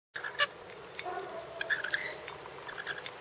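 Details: Rainbow lorikeets in a backyard, giving scattered harsh, scratchy chatter notes with a few sharp squeaks, irregular and fairly soft throughout, over a steady faint background hiss.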